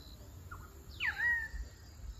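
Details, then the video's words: A single pied currawong (Strepera graculina) call at 6:30 pm on 4 March 2023 in Ipswich, Queensland: a ringing whistled note slurring steeply down into a short flat tail, after a faint brief note, over low hum. "Pied Currawong: Strepera graculina call"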